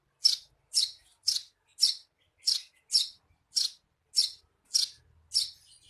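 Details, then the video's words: Eurasian tree sparrow, 'receh' chirping for use as a songbird tutor: eleven vigorous, harsh, high chirps at close to two per second, with a faint low hum near the end. "Suara burung Gereja Receh"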